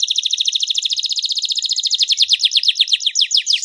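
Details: Canary delivering a continuous, fast rolling trill of bright, evenly repeated notes that slightly sharpens toward the end, from a masteran recording with sharp tembakan and rich cengkok phrasing; clean with no background.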